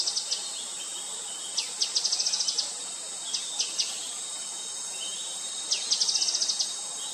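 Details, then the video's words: Grey-headed canary-flycatcher call: a few scattered high chips, then bursts of rapid ticking trills introduced by downslurred notes, insects humming steadily throughout. "Gray-headed Canary-Flycatcher calling"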